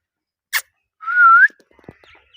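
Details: Indian ringneck parrot: one short click, then a smooth whistled tone that dips slightly and rises at the end, followed by soft scattered ticks in a quiet room.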